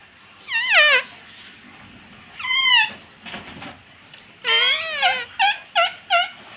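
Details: Pet rose-ringed parakeet mimicking "mummy" and "papa". A few nasal, voice-like phrases with wavering pitch, then a burst of three quick, clipped syllables near the end, over faint room noise.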